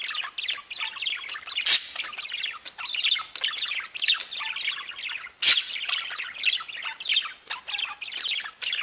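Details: Pet budgerigars keep up a lively warbling chatter of high chirps and rasping squeaks, with two sharp, loud clicks near two and five and a half seconds.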